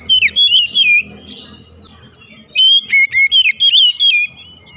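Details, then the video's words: Morning song of an Oriental magpie-robin: a quick run of bright whistled notes, about 1.5 seconds of near silence, then a second burst of six or seven rapid, ringing whistles. "OCEHAN KACER DI PAGI HARI"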